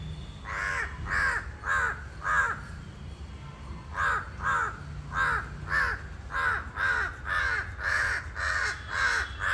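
A crow caws loudly and harshly, about sixteen calls in quick runs of four to six with a short pause after the first run.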